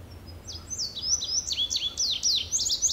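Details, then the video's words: Indigo bunting singing: a bright, high run of sharp down-slurred and paired notes, starting softly and growing louder and faster, with phrases repeated in quick couplets over a quiet background. "Indigo bunting in full Song!"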